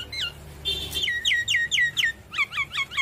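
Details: Javan myna singing actively and nodding its head, used to provoke lazy mynas into answering: clear whistled notes sliding down in pitch, repeated about every quarter second, then a run of quicker paired downslurred whistles.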